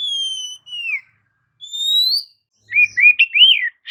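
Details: Clear drawn-out whistles from an Oriental magpie-robin, sung to provoke rival birds: one steady falling note, a rising one, then a quick warbled run of wavering notes.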